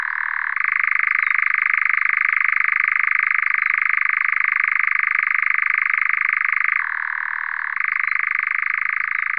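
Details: European Nightjar on heathland at Locarn, active at dusk after hiding in vegetation all day, eating night-flying moths, its song likened to an old engine backfiring: one unbroken rapid mechanical churring trill that drops lower in pitch briefly near the end, then resumes.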